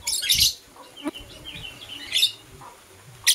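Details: Morning chirps of kissing lovebirds, blue opaline and euwing opaline: a harsh high burst, softer twittering, another scratchy burst, then a brief sharp chirp at the close.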